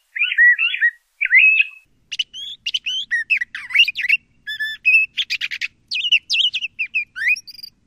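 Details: LeConte's thrasher singing: two sweet warbled phrases open, followed by a dense jumble of buzzy, scratchy and whistled notes, some rising sharply, in rapid varied succession.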